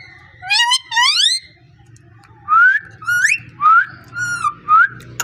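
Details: Pet parrot whistling and talking, two sliding harmonic phrases followed by a string of short rising whistles repeated about every half second, with a faint low hum behind.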